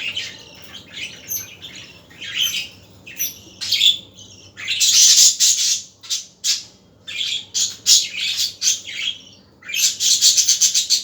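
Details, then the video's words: Budgerigars chattering in the afternoon, a lively stream of harsh squawks, rasping bursts and quick high chirps rising and falling in loudness, several birds calling over one another. "احلي عصريه مع اصوات طيور الحب البادجي"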